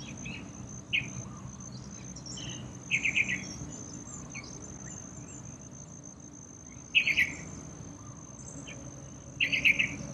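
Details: Yellow-vented bulbul bathing in a small water pool in a courtyard near a workplace; short bubbly chirping bursts come about every two to four seconds over a steady high insect drone.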